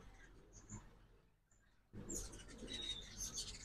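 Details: Ruby-throated hummingbirds in fall migration at a morning feeder in Oxford, Mississippi: after a brief lull, a dense burst of rapid, high-pitched twittering chatter with squeaky chips.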